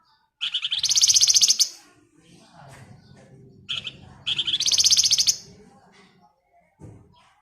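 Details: Female flamboyan calling the male: two long, loud, buzzy rattling trills, each over a second long and separated by a short note. A low rumbling background runs throughout.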